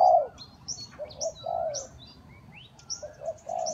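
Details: Spotted dove giving a lure call used for trapping: low, mellow coos, a short note then a longer falling croo, repeated in two phrases, with scattered high thin chirps of other birds above.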